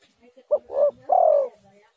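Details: Spotted dove cooing, used as a lure so other doves respond. One phrase of a short note, a swelling coo and a long downward-sliding final coo, over a quiet murmuring background.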